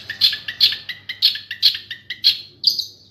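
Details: Long-tailed shrike, master song for training in dense speedy style with rolls and shooting notes. Crisp two-part chirps repeat steadily about three times a second, closing on a higher drawn-out note.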